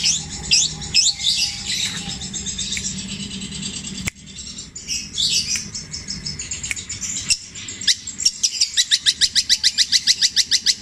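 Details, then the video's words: Javan long-tailed shrike, kept as a songbird, mimicking tengkek buto, kuntilanak and sparrow songs: loose high twittering and scratchy phrases with a sharp click midway, closing in a fast, evenly spaced run of about twenty metallic pulses. "CENDET INI MUNTAHKAN TENGKEK BUTO KUNTILANAK GREJA NYERET PETIR KW PANJANG2 DAN DIULANG2!"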